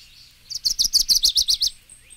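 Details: A Dickcissel sings in a recording of eastern birds. A quick burst of high notes opens with a couple of clipped chips, then settles into an even series of buzzy repeated syllables for about a second, before quiet returns.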